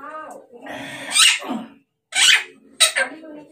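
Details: Talking parrot, kept caged under a blanket because of cold weather, calling its owner indoors; speech-like phrases of bright, formant-rich syllables in short bursts separated by brief pauses, in a small room.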